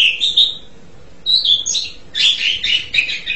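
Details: Asian pied starling song: rich whistled phrases near the upper-middle range, a short warbled opening, a pause, then a denser burst of chattering, slurred notes.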